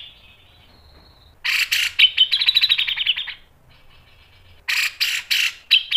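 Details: Sharp 'nembak' and 'mbeset' delivery from a grey-cheeked bulbul for training other birds: a faint thin buzz, then a loud harsh rattling trill of rapid pulses, a pause, and a second burst of coarse chattering notes.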